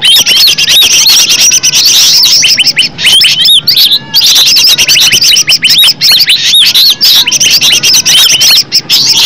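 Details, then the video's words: Green leafbird (cucak ijo), a natural song recording used as a lure to prompt other birds to sing: a fast, unbroken stream of high chirps, whistled slurs and chattering notes, busy and varied, full of mimicry. "Cucak ijo suara alam suara asli"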